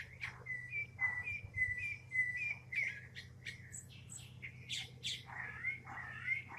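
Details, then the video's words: Northern mockingbird (cenzontle) singing: a run of repeated whistled, slurred notes near one pitch, then varied buzzy, chattering and clear phrases in quick succession, about two per second, over a steady low hum. "Canto del cenzontle audio | Mockingbird Singing"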